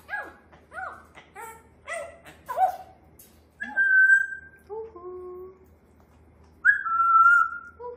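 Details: A pet grey parrot at home, known for bursts of chatter, talks in quick speech-like syllables. It then gives two clear, level whistles a few seconds apart over a soft, low hum.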